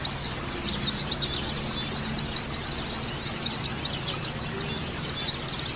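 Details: Twittering of a female white-eye, meant to stimulate breeding drive in kept birds: quick, sharp, very high chirps in tight, busy bursts run throughout, with some clusters louder than others and a soft low hum beneath.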